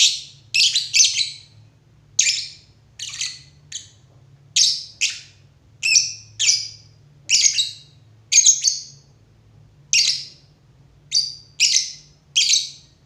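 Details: Lovebird repeating sharp, shrill chirps steadily over several seconds, mostly singles and doubles roughly every second, each note bright, buzzy and quickly fading.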